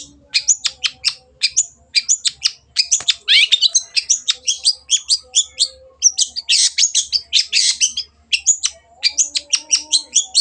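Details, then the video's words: Long-tailed shrike singing in a lively, full stream, used as a lure to make other birds sing: rapid repeated sharp chirps and harsh notes in bursts, with brief pauses around two, six and nine seconds. "CENDET GACOR PANCINGAN MENGATASI BURUNG MACET ATAU BAHAN AGAR RAJIN BUNYI"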